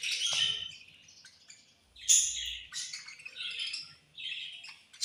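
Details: Several caged budgerigars chirping while eating at feeding time: bright, high, scratchy chirps and short warbles that overlap in quick bursts, with a faint low rumble in the background.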